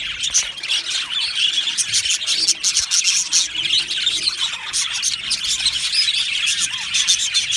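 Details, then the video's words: Australian budgerigars chirping in an aviary colony, a crowded high twitter with scratchy, rasping notes running through the whole stretch. "Australian Budgie parrot chirping sounds"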